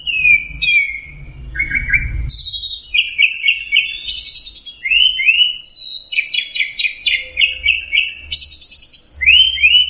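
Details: Orange-headed thrush in teler style: a dense stream of rapid trills, buzzy repeated notes and upward slurred whistles at varied pitches, almost continuous, with low background rumble early on.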